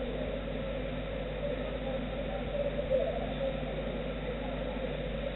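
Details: A roosting tawny owl (Strix aluco) answers a call from its distant mate with a low, chirring, warbling contact call, a steady wavering note with a brighter burst midway, over a constant background hum.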